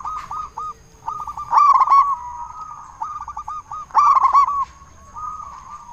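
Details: Zebra dove of local stock calling loudly to draw answers from other zebra doves; rolling cooing phrases broken by two strong bubbly bursts about two seconds apart, softer coos continuing between.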